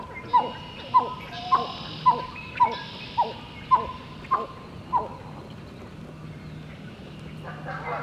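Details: Pied-billed grebe in Southern Ontario on an early morning, calling to another bird: nine hollow, down-slurred notes spaced a little over half a second apart, then fading into quiet outdoor background.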